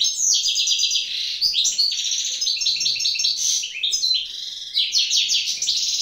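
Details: Wild European goldfinch pair in the evening, female incubating eggs: fast, continuous twittering song of tinkling, buzzy notes and liquid trills, high-pitched and rich, running unbroken for six seconds.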